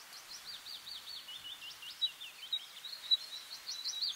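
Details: Bluethroat song of quick, thin, slurred high notes in a steady stream, with a few louder sharp clicks standing out, against a faint hiss.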